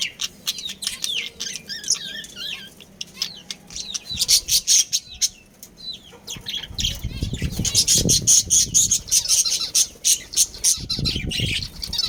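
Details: Breeding pair of budgerigars chirping: quick warbled, sweeping chirps and chatter mixed with dense sharp clicks and rustling bursts, growing louder and busier in the second half over a low rumbling background.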